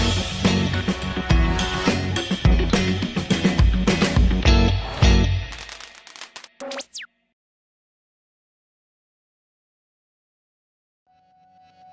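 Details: Drum-heavy music plays for about six seconds, then a brief sweeping effect and near silence, with no animal sound.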